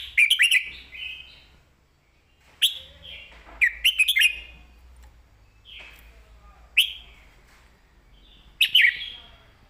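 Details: Red-whiskered bulbul in a cage delivering clear master-style song, short bright whistled phrases of slurred, bubbly notes repeated about every one to two seconds, each phrase falling into a softer trailing warble.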